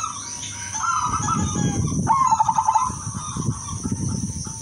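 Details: Silver female zebra dove calling males, with a sustained coo, then a rapid stuttering series of pulsed coos, over rumbling low background noise and a steady high whine.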